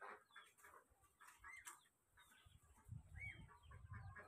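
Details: Goslings calling for their mother give thin, high peeps and short rising squeaks. A soft low rumble enters during the second half.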